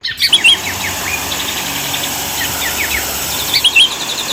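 A Sooty-headed Bulbul gives lively, chirpy song: quick bright notes, some rising and falling, in a steady chattering run over faint background hiss.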